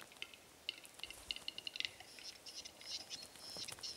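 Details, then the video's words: Displaying Western capercaillie males at an April morning lek with females present, April 2017; spaced clicks quickening into a burst, followed by hissing whetting and thin high squeaky notes. "Capercaillie displaying"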